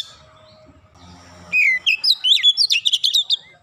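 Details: Oriental magpie-robin song after a low humming start: sudden loud bursts of swooping whistles and sharp high chips in quick succession, a dense rapid series of varied notes.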